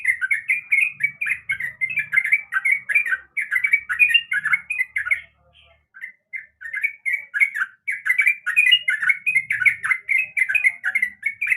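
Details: Female yellow-vented bulbul in breeding condition calling the male: a long run of rapid, chattering, bubbly notes, briefly silent near the middle, then resuming just as busily.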